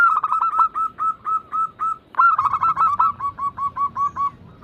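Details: Perkutut, or zebra dove, from a group of singing birds: two phrases, each opening with a quick rolled burst, then slowing into separate short coos repeated about every quarter second at a steady pitch.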